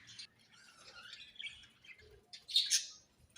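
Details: A budgie makes soft, scattered warbling notes, some gliding up and down, followed by a short, louder burst of shrill chirps near the end.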